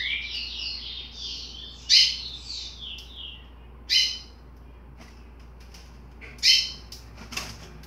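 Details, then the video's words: A 60-day-old chestnut-bellied seed finch chick with undefined song gives a rambling, unformed warble of slurred high notes, broken by sharp bright chips about every two seconds. "Curió Filhote Cantoria Indefinida 60 Dias"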